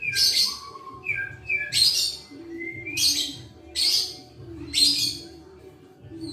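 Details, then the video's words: White-rumped shama, a captive adult bird raised by hand from a nestling, singing clear whistled notes broken by bursts of bright harsh chattering, the bursts coming about once a second; low background hum throughout. "Suara Merdu Pastol@alasurip Burung Murai Batu"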